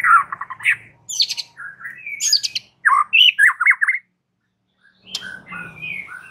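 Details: A white-rumped shama, used to stir rival males into aggression, delivers a dense jumble of harsh squawky notes, whistles and quick chattering phrases, with a brief silence before a final scratchy burst.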